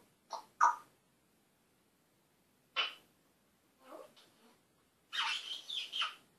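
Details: African grey parrot talking and swearing indoors, giving short speech-like phrases in separate bursts with pauses, then a longer, brighter jumbled phrase at the end.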